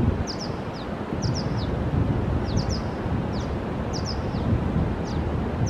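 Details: Violet-green swallow nestlings at a Google building in Fremont give thin, very high chirps in quick pairs and triplets, repeated about every second, over steady low wind rumble.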